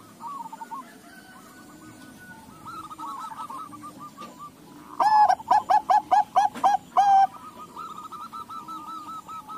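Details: Crossbred Bangkok-local zebra dove answered by other doves. A loud burst of about nine clipped, resonant coos ends in a longer held coo. Quieter trilling coos from several other doves run before and after.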